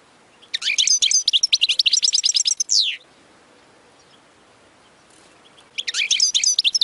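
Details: European goldfinch song used for training young birds to sing: a rapid twittering burst of high, tinkling notes for about 2.5 seconds ending in a falling slur, then a pause and another twittering phrase.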